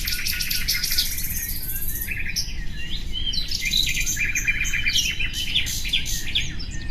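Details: Common nightingale song: rapid buzzy trills and repeated chattering notes, then varied whistled phrases and short sweeps, with overlapping song layers and a steady low rumble beneath.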